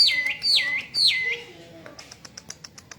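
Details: ['Hwamei song: three loud, clear whistles, each sliding down sharply and then levelling off, given in quick succession about every half second. Faint clicking ticks follow.']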